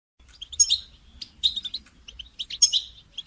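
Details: Goldfinch singing to attract the female: rapid twittering run of high, short chirps and trills, bursts of tinkling notes with brief pauses, clear and close against a quiet background.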